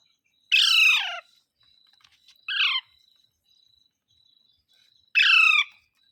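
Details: Green parrot calling mitthu mitthu: a long rasping falling squawk, a shorter hoarse note two seconds later, then another drawn-out raspy call, with soft clicks and a constant faint whine.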